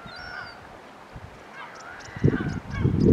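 A young kelp gull gives thin, whining calls, a few slurred notes rising and falling over three seconds, with wind buffeting toward the end.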